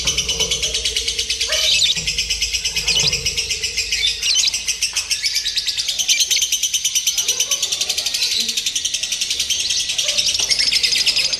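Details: Simulated lovebird singing competition used for mental training: long, unbroken high-pitched chattering trills from many birds, rhythmically pulsing, with occasional speech and clicks beneath.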